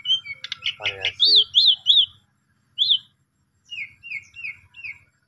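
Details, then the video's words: Asian pied starling song meant to stir a quiet starling into singing: a quick chatter with a harsh rattle, then sharp upslurred whistles, a pause, and a closing series of short descending notes. "Jalak Suren Pundung, Macet Langsung Emosi Gacor Dengan Pancingan Jalak Suren Ini"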